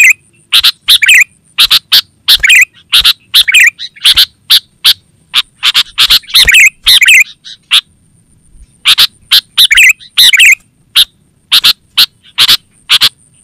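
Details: Lively sooty-headed bulbul calling, used as a lure for wild forest birds and as a training model for kept birds: rapid series of sharp chipping notes and gurgling warbles, a short pause midway, then renewed chatter over a thin steady whine.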